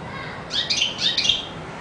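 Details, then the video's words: European goldfinch singing a brief, bright twittering burst of high tinkling notes, lasting under a second against a quiet background. "Καρδερίνα πυροβολάει!!! 😍 (Carduelis Singing)"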